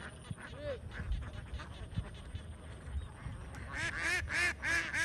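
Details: Farm flock of young domestic ducks. Scattered soft calls give way after nearly four seconds to a run of loud, harsh, closely spaced quacks, about three or four per second.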